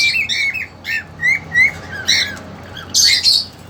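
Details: Young female cockatiel, two months old, caged with a keen male: rising whistled chirps repeated every half second or so, ending in a loud rasping squawk, inside a small room.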